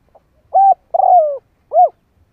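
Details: Spotted dove used as a decoy bird, cooing to quickly provoke wild doves: three clear low cooing notes, a short hooted coo, a longer coo falling in pitch, then another short arched coo. The background is quiet.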